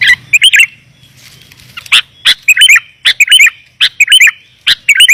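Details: Sooty-headed bulbul lure recording for calling wild bulbuls, clear and dense: short bubbly two- and three-note phrases alternating with sharp single chirps, repeated roughly every second, over a faint low hum.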